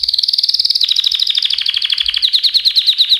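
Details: Canary song: rapid trills of repeated high notes, first a fast tight roll, then a slightly slower, lower series of distinct syllables, all clear with no other sounds.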